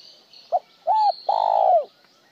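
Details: Single spotted dove phrase in the style described as one broken tail note: a short soft note, a smooth arched double note, then a long, loud coo falling at its end.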